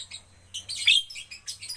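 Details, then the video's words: Javan myna in captivity, trained to sing more, producing a soft scratchy opening, then a loud, grating, hissing phrase with a shrill squeal, and several shorter rasping chatters after it. "melatih jalak kebo agar cepat gacor"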